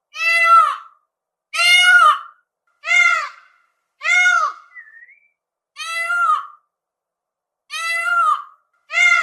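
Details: Peafowl calls of the kind given during courtship: loud, harsh, wailing cries with rich harmonics, each under a second long, repeated roughly every one and a half seconds, with a short thin rising note between two of the calls.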